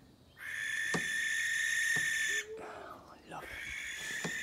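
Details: An old barn owl, broody at this spring season, in a pen at a North Devon bird-of-prey centre gives a long, harsh, steady hiss of about two seconds with soft thumps of stamping; a man's voice briefly speaks before the hissing resumes.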